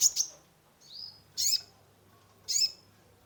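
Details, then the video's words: Caged sunbird (kolibri ninja) used to rouse a stressed bird: a double chirp, a thin whistled slur, then two loud sharp notes about a second apart. "Terapi pancingan konin gacor full isian mengatasi burung stress !!"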